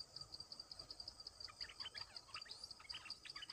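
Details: Bulbul song used as a lure for wild birds: short, fast, bubbly whistled phrases of varied notes over a steady, rapidly pulsing insect chorus.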